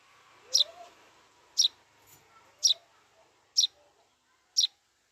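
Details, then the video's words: Eurasian tree sparrow chick begging to be fed: short sharp high chirps repeated about once a second, five in a row, with faint low background sounds between them. "Suara burung gereja minta loloh"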